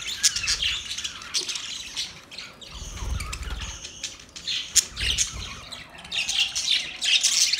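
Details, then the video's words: Mating budgies: softer, rapid twittering and clicking chatter that rises and falls, with faint low thumps in places. "Parrot mating sound"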